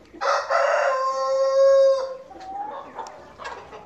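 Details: A rooster among farm chickens, recorded on a short tour of the farm, gives a loud, harsh crow that starts rough and ends in a long, steady, sustained note, followed by a few softer clucks.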